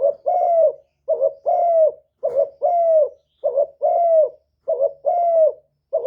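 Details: Spotted dove used as a lure for wild birds, singing '1 hậu' coos: regular deep phrases, each a short hoarse note followed by a longer smooth falling coo, about one phrase per second, nothing else audible.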